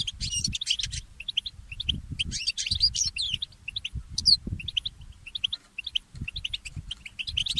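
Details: Goldfinch mule singing at dawn: a dense, scratchy twitter that gives way to strings of short, evenly spaced high chirps, with a soft low hum behind.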